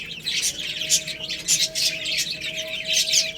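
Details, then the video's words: Chicks feeding on rice give quick high chirps in clustered bursts about every half second, over a faint steady hum. "Beautiful Chicks Chirping Sounds"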